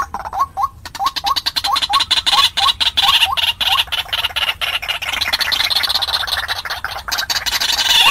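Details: Decoy call of the white-breasted waterhen for luring wild birds into a trap: a steady run of brief upward-hooked notes, several per second, fading into a hissy, rougher stretch with one last hooked note.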